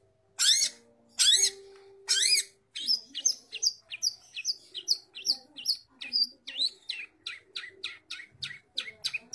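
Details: Long-tailed shrike (cendet) from Bojonegoro in full song: three loud, harsh rasping bursts open, followed by a quick varied chatter of chirps, whistles and trills, about seventy notes a minute, irregular in rhythm.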